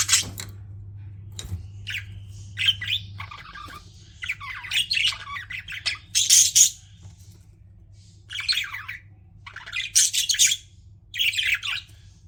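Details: Pet budgerigars chirping and squawking in irregular grating, high-pitched bursts through the recording, some rising and falling, with a low hum fading out partway.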